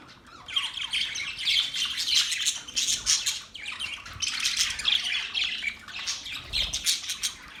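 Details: Australian budgies chattering: a dense, continuous warble of scratchy chirps, squawky notes and short whistles overlapping one another, in bursts with brief quieter gaps between them.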